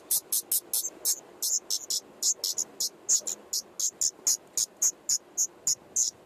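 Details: Common nightingale nest with five chicks in an attic, 15 May 2014, daytime, fed by both parents, recorded by a GoPro beside the nest: very high, short hissing notes in a fast, uneven run of about three per second.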